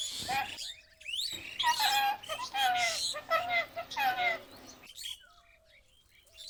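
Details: Alexandrine parakeet kept as a pet, said to talk and chirp at home: a burst of rapid, rasping, harmonic chatter lasting about three seconds, with short squeaky notes before and after, over steady background hiss.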